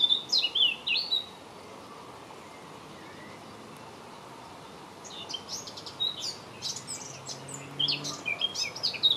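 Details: Blackcap song recorded in May 2018: a short whistled fragment at the start, a long quiet gap with hiss, then a scratchy, chattering warble building over the final three seconds.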